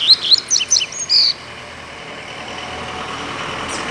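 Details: Free-living double-collared seedeater in a residential neighbourhood, described as agitated: a quick burst of sharp, high chirped notes for about a second, ending in a buzzy note, then only steady background hum and traffic.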